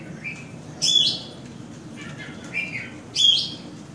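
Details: Oriental magpie-robin in Kota Kemuning, Selangor, Malaysia, recorded in the third quarter of 2017: short clear whistled phrases with a sharp high note, given three times about a second apart over quiet background.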